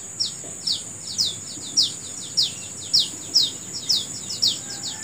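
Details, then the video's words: Morning bird: clear, high chirps that drop quickly in pitch, repeated roughly twice per second with slightly uneven spacing, over a continuous shrill insect buzz. "Suara Burung Di Pagi Hari"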